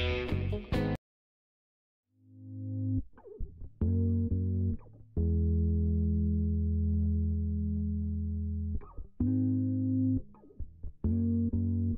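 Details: Plucked electric guitar notes with sustained low chords and a brief silence, with no animal voice anywhere.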